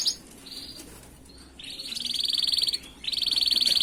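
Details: Canary master song recording used to train other canaries: after a faint opening, loud rapid high-pitched trills start at about 1.6 seconds, each a fast, even series of repeated notes, with a short break before the next trill.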